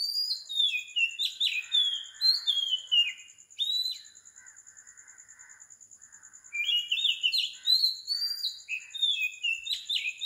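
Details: Oriental magpie-robin in song before dawn, 4 am, Sri Lanka: rich, varied whistled notes sliding downward in quick runs, a pause, then more phrases, over a continuous shrill insect tone.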